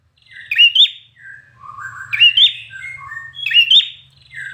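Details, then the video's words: Red-whiskered bulbul trained for competition, singing intensely: three loud, bright whistled phrases with sharp upward flicks, spaced about 1.5 seconds apart. Softer, lower warbling notes from another bird fill the gaps, over a faint low hum. "Chào Mào Hót Căng Lửa, Kỹ Thuật Luyện Chim Hót Đặc Biệt Và Thắng Đấu! - Chào Mào Hót Đấu"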